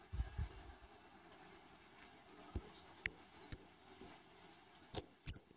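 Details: Saffron finch feeding its new chicks: short, piercing high peeps in a loose series, then a burst of rougher, overlapping squeaky notes at the end.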